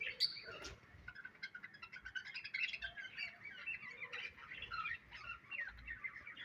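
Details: Budgerigar chirps and soft warbling, with a sharp high note at the start and then a run of quick, varied chattering phrases.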